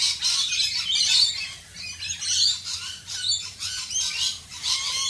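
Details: Australian rainbow lorikeets in rain giving loud, harsh squawks and shrill chattering, several birds calling at once in uneven bursts, with falling rain audible throughout.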